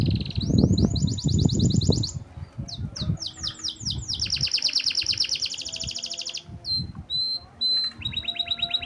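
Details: Canary just brought out after bathing, singing a rich filled song: fast high trills and sweeping chirp series, then steady ringing rolls and whistled notes, over loud low rumbling noise during the first seconds.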